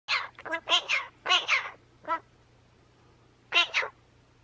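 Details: A magpie calling over its companion gives harsh, rasping bursts in quick clusters, about five rough squawks in four seconds, over a faint low hum.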